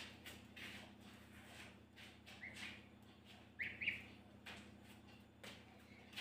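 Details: Gosling in the mountains that seems to have taken its keeper for its mother, giving a few short rising peeps spaced several seconds apart over a steady background hum and soft rustling.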